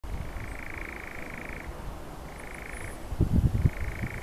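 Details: Nightjar churring: a steady, mechanical buzzy trill held in long bursts of over a second, pausing briefly between them, while low thumps of handling noise come in near the end.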